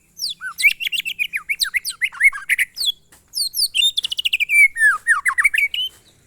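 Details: White-rumped shama, locally murai batu, delivering its monotonous glondong song: dense rapid series of sweeping whistled and chattering notes, a brief pause near three seconds, then another fast run of repeated descending whistles.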